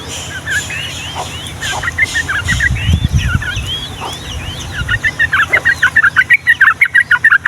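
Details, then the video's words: Yellow-vented bulbul in energetic rolling song meant to get young birds singing: looping slurred whistles at first, then a fast even train of bright bubbly notes, with a low rumble in the middle. "SUARA BURUNG TRUCUKAN GACOR ROPEL PANJANG UNTUK MASTERAN DAN PANCINGAN TRUCUKAN PAUD"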